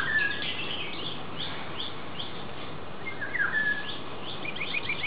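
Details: Black-naped oriole in a garden at Ayer Itam, Penang, on 13 February 2010, giving a few brief, fluty whistled notes, some slurring downward, faint against a steady background hiss.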